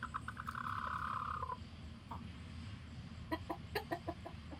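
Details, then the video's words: Chicken alarm calling to warn the flock: a stuttered start building into a long, raspy tonal cry of about a second, then a pause and a rapid run of sharp staccato clucks, over low background hum. "Chickens warn the flock with sounds like this!"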